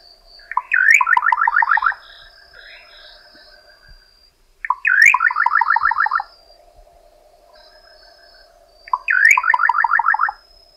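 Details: Repeated song of the Little nightjar: three phrases roughly four seconds apart, each an upslurred opening then a quick rattle of clipped notes. Continuous high whining hum and faint low drone in the background.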